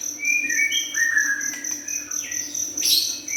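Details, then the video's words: Juvenile white-rumped shama in full song: short clear whistled notes and slurred phrases, some rising, others falling, over a steady high insect-like drone and a low hum. "Murai batu junior gacor"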